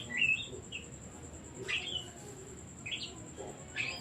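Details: Oriental magpie-robin song used as a lure for other birds: a few separate bursts of sharp whistled and buzzy slurred notes with gaps of about a second between them, over a steady thin high tone.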